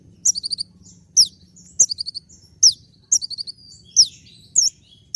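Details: Sunbird (kolibri ninja) singing to woo a female: brief clusters of very high ticking notes, each opened by a shrill downslurred chirp, repeated about every 0.6 seconds above a soft low hum.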